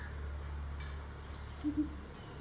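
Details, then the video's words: Greater coucal gives two quick, deep hollow hoots near the end, over a steady low rumble and faint background hiss. "Greater coucal bird"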